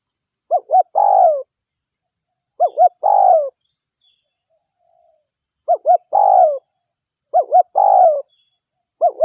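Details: Local spotted dove cooing as a lure call to attract other doves: two short rising notes followed by a longer, slurred, falling coo, the phrase repeated about every two to three seconds against a quiet background.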